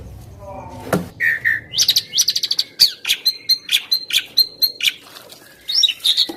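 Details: Asian pied starling song used for training songbirds: after a brief low noise, a pair of low whistles leads into a rapid run of buzzy, rattling high notes and squeaky chirps, with steady faint background hum.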